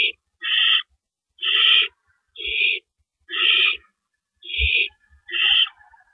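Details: Owl recorded at its nest in the early morning darkness of April 4, 2012, amid rabbit deliveries: six coarse, hissing rasps, each under half a second, separated by brief pauses.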